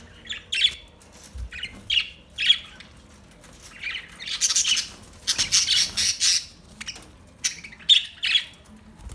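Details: Budgie chirping in short bright bursts, harsh squawky notes around a second apart, then a denser run of scratchy chatter, with a faint low hum beneath.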